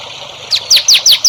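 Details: Songbird song on a recording for training young songbirds: five quick, high, downward-sweeping whistled notes repeated in an even rhythm.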